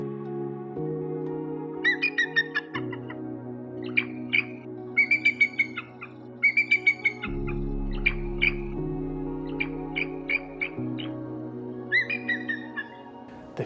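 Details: A female bald eagle incubating eggs at a snow-filled nest in New York State during a snowstorm gives an alarm call, thin, high chittering whistles in bursts of four to six notes, repeated over background music.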